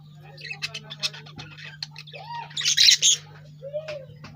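A lovebird gives a run of sharp, harsh chirps and one loud raspy squawk, with a couple of short rising and falling whistles; a steady low hum underneath.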